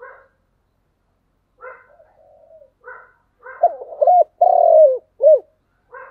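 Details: Spotted dove in a thúc gù cooing style: quiet harmonic notes recur every second or so, building into loud hooked coos, one long drawn-out falling coo, and a final short arched coo.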